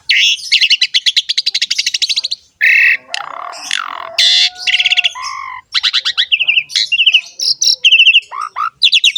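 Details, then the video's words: Asian pied starling singing a varied medley: fast rattling note series, grating screeches and a low nasal whine, broken by short pauses between phrases. "KICAUAN BURUNG JALAK SUREN GACOR FULL ISIAN MEWAH"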